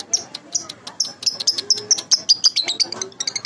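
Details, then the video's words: High, thin cheeps from a baby lovebird, a lure sound, repeated rhythmically several times per second in an even, insistent series. "Pancingan Lovebird Baby"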